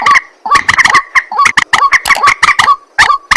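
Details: At night, a white-breasted waterhen gives a dense run of harsh, clucking 'ruak' notes, each stuttering burst followed by a short bent grunt, repeating almost without pause.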